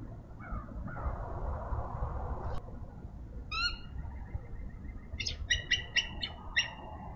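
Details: Nesting eagles in Minnesota at 7:22 on a frosty March morning, calling as the male takes over incubation of two eggs from the female. Brief squeals are followed by a run of sharp, piercing high notes in quick bursts, over low rumbling noise.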